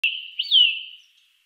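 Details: Eurasian nuthatch in the Wittlicher Tal, recorded in 2018: one bright, high call that sweeps up and then slides down, with a sharp click at the very start and a short fading tail after it.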